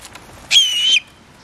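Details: Blue jays coming in to peanuts put out for them, calling from the trees: a single clear, steady whistled note lasting about half a second, with a slight dip at the end, in otherwise quiet surroundings.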